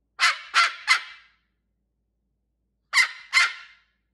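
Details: Pet cockatoo indoors with its owner barks like a dog: three rapid harsh, rasping bursts, a pause of nearly two seconds, then two more of the same loud, noisy barks.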